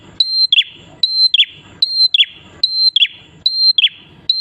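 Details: Prinia song for luring other prinias to join in: clear high flat whistles, each closing with a dropping chip, in steady regular phrases less than a second apart.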